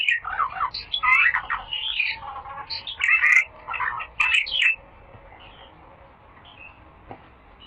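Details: Little fellow, a bird described as rare, singing a masteran training song: fast, varied twittering phrases with sharp up-and-down squeaks in several bursts over about five seconds, then near silence with light background hiss.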